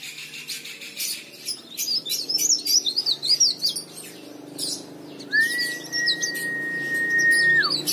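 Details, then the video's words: Leaf warbler in lively song for luring other birds: a fast stream of high, wavering twitters over scratchy clicks, followed by a long, even whistle that falls away at the end. "burung cikrak daun gacor istimewa"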